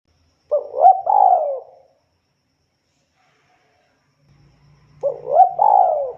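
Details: Spotted dove in full, persistent voice: two cooing phrases, each a short rising note run into a longer mellow coo that falls away, separated by a silent gap of about three seconds; a faint low hum lies underneath.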